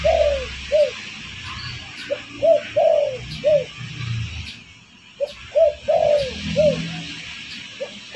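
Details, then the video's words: Spotted dove cooing used as a bird-catching lure. It gives repeated phrases of soft, low coos, each ending in a drawn-out slurred note, about three phrases in eight seconds with scattered single coos. A faint low hum sits in the background. "Suara pancingan burung derkuku bakalan ampuh"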